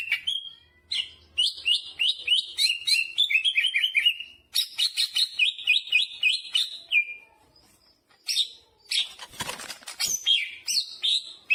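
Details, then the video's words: Greater green leafbird singing a long, varied sequence of rapid whistled notes in rising and falling series, broken by short pauses and one brief rustling noise. "Burung cucak hijau gacor istimewa full muntah isian jamtrok"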